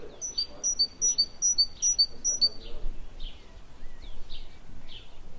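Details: Great tit visiting an office-window bird feeder, where they come to eat walnuts, hazelnuts and seeds around 9 a.m. and midday, giving quick, high, thin two-note phrases about twice a second, then softer buzzy notes, over low rumble.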